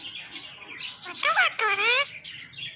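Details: Pet male Indian ringneck parakeet talking: two hoarse, speech-like syllables with rising and falling harmonic tones, loud and close, over soft background chatter and low room hum.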